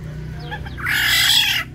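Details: Black-naped oriole in an aviary, fighting to defend or seize territory; a faint thin note, then a loud harsh rasping squawk lasting almost a second, over a low steady hum.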